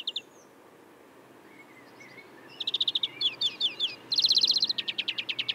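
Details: European greenfinch in Córdoba singing rapid twittering trills and chirps, with a fast run of repeated notes, over a soft background hiss.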